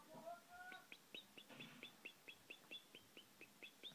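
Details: European goldfinch of Moroccan khalwi type, with a brief human voice at the start, then a steady series of crisp, clipped chirps repeated roughly every quarter second.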